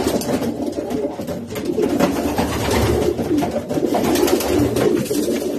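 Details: Several racing pigeons cooing together in low, throaty rolls that rise and fall, over steady scratching and rustling noise.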